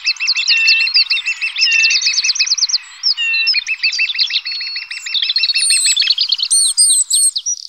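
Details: Lesser spotted woodpecker feeding its young: many overlapping, rapidly repeated high trilled notes in long runs, joined near the end by sharper squeaky notes.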